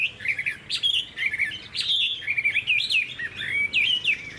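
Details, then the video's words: Caged Chinese hwamei singing a rich, rapid, varied warble of twisting whistled phrases, continuous and loud, with a faint indoor hum in the background. "Họa mi dáng ngũ trường, đấu xòe, hót tốt"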